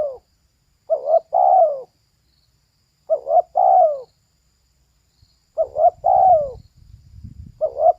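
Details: A female spotted dove repeats its phrase four times over eight seconds: short double notes, then a long, smooth, downward coo. Low rumbling noise appears near the end.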